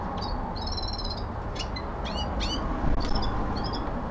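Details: Common linnet kept indoors at home, giving short twittering bursts of bright, rising and falling whistled notes with quick chirps, separated by brief pauses, over a steady low background hum.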